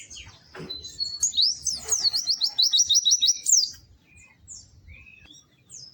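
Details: White-eye singing a high, rapid twittering phrase of rising and falling whistled notes, a fast trill in the middle, then scattered thin chirps, with a low background rumble.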